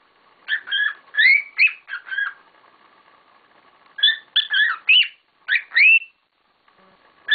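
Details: Cockatiels kept at home chattering loudly: clusters of harsh chirps and rising slurred whistles, with a pause of about one and a half seconds between groups.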